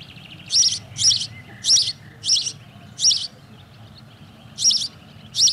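House Sparrow giving loud, harsh chirps, about one every half second in short bursts with a pause midway, over quiet background rumble.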